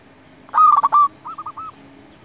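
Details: Zebra dove of a local strain singing a lure song for other doves: a loud fast series of staccato coos closing on a drawn-out note, followed at once by three soft rolling coos.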